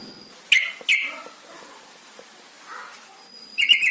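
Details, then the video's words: Lure sound for captive yellow-vented bulbuls, meant to get them singing quickly: two bright downslurred chirps close together, a softer note later, then a burst of rapid bubbly chattering at the end, with a faint high whine. "Pancingan trucukan paling AMPUH bikin cepat bunyi"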